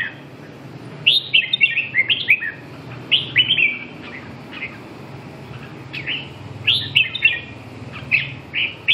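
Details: Song of a red-whiskered bulbul: short, cheerful phrases of two to four slurred whistles, repeated at irregular intervals of one to two seconds.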